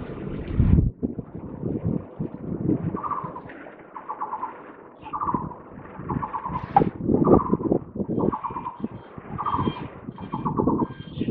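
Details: Taiwan barbet perched on a cable, 27 July 2023, giving short bursts of rapid, clipped pulsed notes, each burst under a second and repeated every second or so, over loud rumbling passing traffic.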